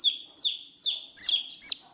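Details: Newly hatched chicks, hatched by a broody American hen from five eggs of unknown breed, give high, shrill downward-sliding peeps, five in two seconds, no other sounds.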